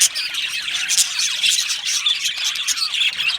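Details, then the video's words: Many budgerigars chirping in an aviary, a happy colony chatter of fast, buzzy warbles, squeaky whistles and squawks overlapping throughout. "Happy Budgies Sounds | Budgies Chirping Sounds | happy Budgie sounds for lonely Budgie birds"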